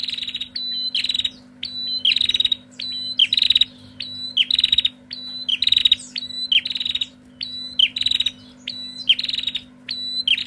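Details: Female bar-winged prinia calling noisily in an answering exchange, high whistled notes and fast buzzy rattles repeated nearly a dozen times, about 47 phrases a minute, with a steady low electrical hum throughout.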